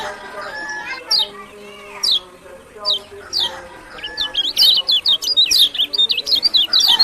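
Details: Lemon-bellied white-eye (kecial kuning) from Lombok singing: a few sharp high downslurred whistles spaced about a second apart, then a fast run of high chattering, zigzag twitters, over a steady low tonal background hum.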